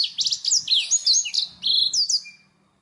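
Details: Song of a Black-throated canary, played to tutor pet songbirds such as canaries: quick bright whistled phrases and sweeping chirps in close succession for over two seconds, then fading into silence.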